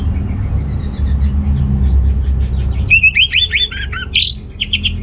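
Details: Orange-headed thrush song meant to stimulate males short of breeding drive: faint high notes, then a lively sequence of varied whistles and chirps over a low rumbling background.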